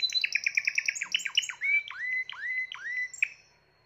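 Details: A Timbrado canary of 2020 sings quick repeated chirps, then a series of slurred whistles, each dropping sharply and then levelling off, before fading out.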